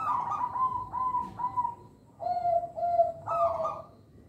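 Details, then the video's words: Local zebra dove, used as a lure for young birds, cooing a stepped series of short rolling notes. Three similar notes sound first, then lower ones, and the phrase ends in a brief rising trill. "Perkutut Lokal Suara Istimewa, Pemikat Bakalan"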